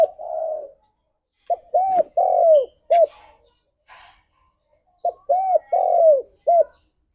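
Spotted dove cooing: low, mellow phrases of about four hollow coos with a longer, falling note near the end, given twice. Faint clicks in between.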